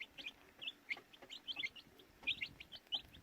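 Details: Baby chicks chirping: high, short peeping notes tumbling over one another in quick irregular bursts, several birds calling at once, with faint low rustling beneath.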